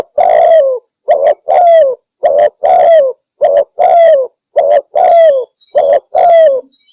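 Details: Javan spotted dove, a calling bird used as a lure to attract reluctant doves, giving loud, clear coos in quick rising-and-falling notes, about ten bursts in seven seconds with short gaps between them.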